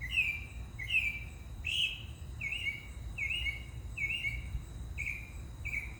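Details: A mockingbird repeats one short slurred whistled note about every seventy to eighty times per minute, each dipping and rising, with faint hum underneath.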